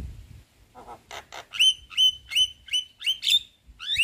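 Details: White-eyed Javan myna chattering to lure a silent myna into singing. Soft rough notes open, then a steady run of loud squeaky, whistled notes about every third of a second.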